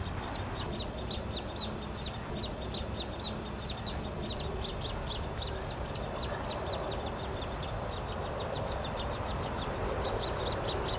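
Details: Nestling Downy Woodpeckers going wild at feeding time, female and male parents visiting, Wolfe Park, Columbus, Ohio, 26 May 2013; an unbroken chorus of thin, piercing chirps, roughly four a second, across the whole stretch.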